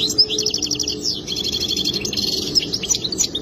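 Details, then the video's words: Goldfinch song: rapid high twittering runs of trilled notes and buzzy rattles, nearly continuous, with brief pauses and a faint steady low hum underneath. "اجمل تغريد حسون رائع جدا"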